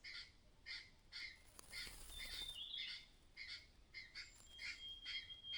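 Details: Warning call of a mother myna sensing danger nearby: repeated grating, clattering notes roughly twice a second, a short dense flurry near the middle, and thin high whistles of other birds overhead.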